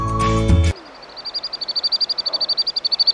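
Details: A common sandpiper (Actitis hypoleucos) gives a long, rapid series of thin, high-pitched notes, about ten per second, after a brief burst of music.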